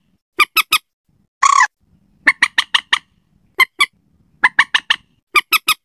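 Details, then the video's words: Slaty-breasted rail, sound used to lure the bird at night: rapid series of crisp harsh clicks grouped in threes to fives, interrupted once by a single rasping squawk. "suara pikat burung mandar batu, cocok buat malam hari suara ampuh"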